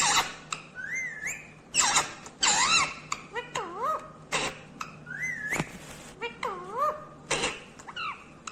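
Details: Green ringneck parakeet talking over a noisy background: clear rising whistled and arched syllables repeated in speech-like phrases, mixed with clicks and rustling knocks.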